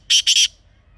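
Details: Black francolin (kala teetar), a wild bird from Pakistan, giving a brief fragment of its call: three quick, loud, rasping notes close together, then silence with faint low hum.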